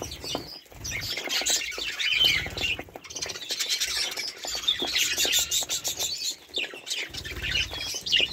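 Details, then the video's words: Several budgerigars chattering together: busy high warbles, chirps and short squawks layered continuously, rising and falling in loudness. "волнистые попугаи"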